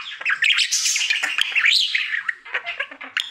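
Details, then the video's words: Domestic male budgerigar singing his daily routine: a loud burst of rasping, buzzy warble and high chirps, then softer scattered clicks and squeaks. "Budgie singing for 1 Hour Happy song!"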